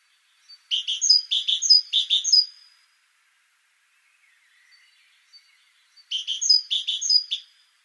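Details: Great tit (Parus major) singing two bursts of repeated bright three-note phrases, each phrase about half a second long, with a quiet gap of several seconds between bursts; no other sounds intrude.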